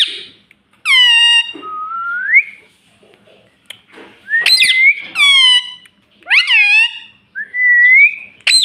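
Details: Indoor pet parrot that talks: rich nasal calls alternating with smooth rising whistles, about six phrases spread over several seconds, with quiet gaps between.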